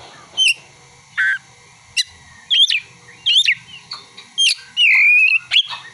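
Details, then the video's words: Oriental magpie-robin song carrying imitated prinia and sunbird calls: separate loud, sharp whistled phrases, some sweeping up or down and one longer trilled note near the end, with short pauses between them. "Kacer (materi ciblek dan kolibri)"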